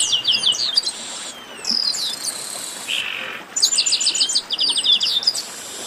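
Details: Chestnut-capped blackbirds chattering together in a 'baderna' meant to stimulate a kept bird: rapid high stuttering phrases and whistles, a short buzzy burst midway, then dense repeated trilled notes.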